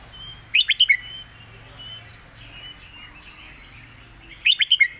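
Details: Red-whiskered bulbul 'master song': two bright four-note whistled phrases about four seconds apart, quick and bouncy, with quiet continuous twittering of other birds between them.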